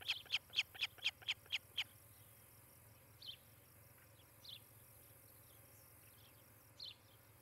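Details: Osprey pair at their nest in Charlo, Montana, captured by nest cam in July 2018 morning: a quick run of seven high piercing chirps, then quiet with a few scattered faint distant notes over steady background hiss.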